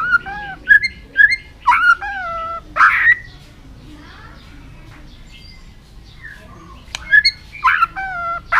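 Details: White-rumped shama training song to stimulate fast, varied singing: clear whistled notes with falling tails mixed with rough, buzzy bursts, a quiet stretch in the middle, then more whistles and harsh notes.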